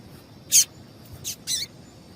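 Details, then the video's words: Female Double-collared seedeater calling to stimulate a male to sing: three short, sharp high chirps spaced over about a second, the first loudest, with faint background hiss. "Piado de Fêmea de Coleiro Chamando Quente Para Esquentar Coleiro tui tui"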